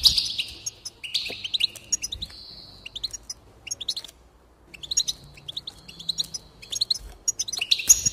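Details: Goldfinch song for encouraging singing: several buzzy, wheezy trills alternate with quick tinkling chirps, with a short quiet pause midway before the twittering resumes and ends on a buzz.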